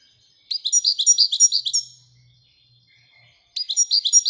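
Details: Moroccan European goldfinch in Widania song style, giving a steady series of about ten high, bell-like chirped notes, a pause, then the same rapid rhythmic phrase starting again.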